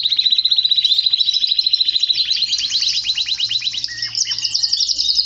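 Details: Song of a male canary: loud, rapid, machine-like trills of short repeated notes, the rhythm changing between phrases and ending in a fast high rattle, with no other sounds heard.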